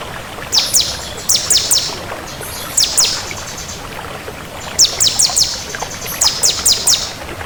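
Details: Bar-winged prinia of the 'kristal' type: clusters of two to three sharp, high, downslurred chip notes repeated in small groups with pauses, over light background hiss.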